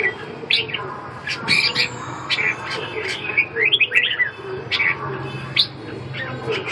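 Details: Red-whiskered bulbul singing: bursts of short bright warbled notes in phrases, with quiet pauses between them and a low background hum.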